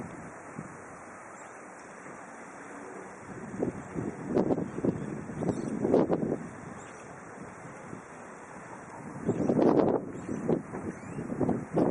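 Only gusty wind buffeting the microphone is heard, rising in rough surges, with no animal calls.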